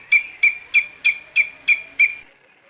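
An eagle gives seven high, thin piping notes at an even pace of about three per second, then falls silent. No other sounds stand out.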